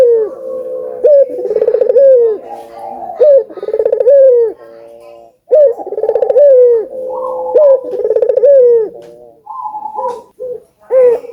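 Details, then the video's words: Collared doves, including albino birds, in vigorous gacor cooing meant to stimulate other doves to call: several birds overlap, with rolling, pulsed coos and long drawn, slightly falling notes, in bursts about every two seconds. "Suara Burung Puter Gacor ,merangsang burung puter agar bunyi"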